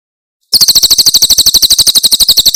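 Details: Javan prinia, known locally as Tembakan Cililin, in a tutoring recording for songbirds: fast repeated high, bright chirp notes in a steady stream lasting two seconds, clean and without background noise.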